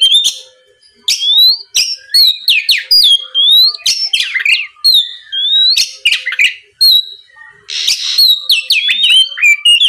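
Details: Oriental magpie-robin song used as a lure to provoke a rival into answering: loud, varied whistled phrases, rising and falling slurs mixed with harsh buzzy bursts and quick chirps, delivered in rapid bouts with brief pauses, no other sounds.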